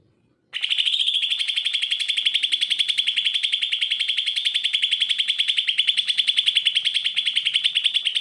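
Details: Greater green leafbird singing for birds lazy to sing: after a brief pause, a long unbroken machine-like trill of rapid high pulses continues steadily for over seven seconds.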